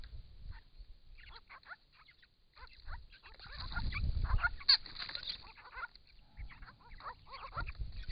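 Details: Grey-crowned Babblers visiting a pond in regional Victoria, Australia, captured by camera trap while diving in and out of the water; scattered squeaky chatter rises into a flurry amid a swell of splashing noise.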